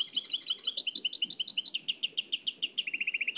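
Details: Nightingale song in the Oued El Alaiq style from an old cassette recording: a rapid, steady series of high staccato notes, ending in a quick even trill of lower repeated notes, with faint background hiss.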